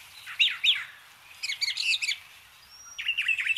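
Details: Brown Thrasher song, a mimic that incorporates the sounds of other birds: varied phrases of sweeping, slurred notes between mid and high pitch, then a fast buzzy cluster, a thin whistle and another run of rapid notes.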